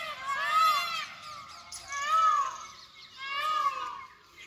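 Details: Indian peafowl in the jungle after rainfall, giving three loud, wailing, arched cries about a second apart, each rising then falling, clear over a quiet background.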